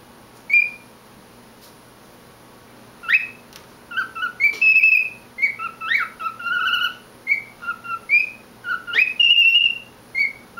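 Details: Male pet cockatiel singing to himself indoors: a lone whistle, a pause, then a busy run of short clear whistles at varied pitches, with quick upward sweeps and a few held notes, against faint low hum.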